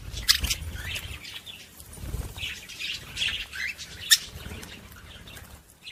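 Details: Budgerigars warbling to stimulate other budgies: softer, scattered squeaky chirps and chatter, punctuated by a couple of sharp clicks or peeps.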